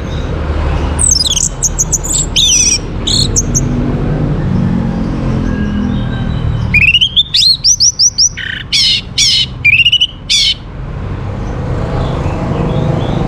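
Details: Orange-headed thrush (Geokichla citrina) song, used as a lure to get other birds singing: two bursts of rich, high whistled phrases with rapid rising notes and squeaky trills, over a steady low background hum.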